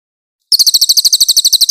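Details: White-eye song used as a clear tutor recording for training songbirds: a fast, very high, bright run of sharp repeated chirps at about a dozen notes per second, starting after brief silence, with no other sounds.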